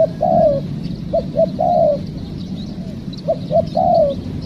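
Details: Trapping spotted doves with a trained decoy; the dove gives quick paired hoots followed by a longer sliding coo, three phrases close together, loud and clear above a low humming background.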